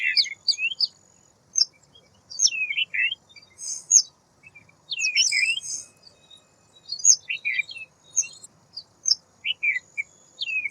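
A White wagtail gives sharp, high chirps and short twittering phrases in bursts every second or so, against a quiet background.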